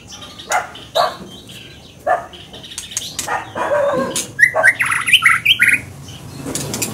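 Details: Scarlet minivet singing: a burst of short, bright whistled notes in quick succession near the end, after scattered clicks and taps.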